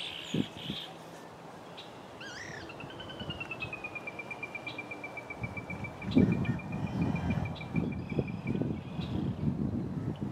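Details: Yellow-headed blackbird singing like a rusty door: a few short harsh notes, then one long, slightly falling, buzzy drawn-out whine lasting about six seconds, over steady low rumbling noise.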